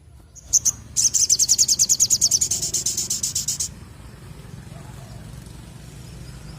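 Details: Sogon bird in lively voice: two short high notes, then a rapid, very high rattling trill of about twenty evenly spaced pulses over nearly three seconds that gradually fades, followed by quiet background rumble.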